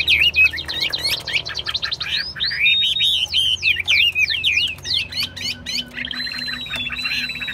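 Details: Chinese hwamei in a cage in Vietnam pouring out fast, energetic song: dense swooping whistles and looping notes in quick succession, then a drawn-out high level whistle at the end, with soft low hum in the background.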